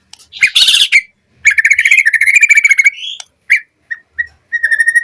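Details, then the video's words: White-rumped shama lure song for captive birds: a harsh burst, a long rapid trill that rises at its end, then single clear whistled notes spaced apart. "Pancingan Murai Batu Cepat BONGKAR ISIAN Buat Masteran Suara Burung Murai Agar Gacor Full Isian"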